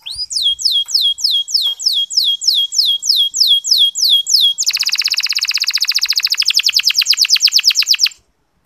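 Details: Canary 'ngeriwik halus' soft song, a lure to motivate reluctant male canaries: a long regular series of down-slurred whistles, about three per second, then a dense, fast buzzy trill that stops abruptly.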